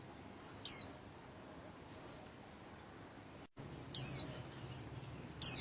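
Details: White-eye kept as a cage bird, wings spread, giving the líu warbling song: scattered thin, high downslurred chirps, some faint and some loud, spaced irregularly over several seconds.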